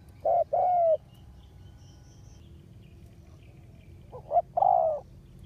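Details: Decoy spotted dove used on the ground to attract wild doves, August 2021: two coo phrases, each a brief note followed by a longer level coo, separated by a few seconds of quiet background hum.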